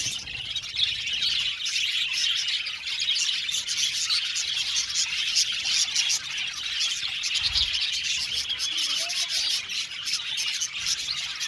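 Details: Budgerigar colony in an aviary, continuous overlapping high-pitched chirping and twittering from many birds, a few louder squeaks near the start and a short low knock later on.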